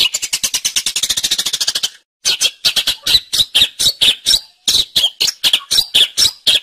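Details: Long-tailed shrike singing in full voice, recorded as a master track for training songbirds: a fast, even run of harsh, buzzy high notes, a short pause, then a slower series of sharp, scratchy chirps repeated about twice a second.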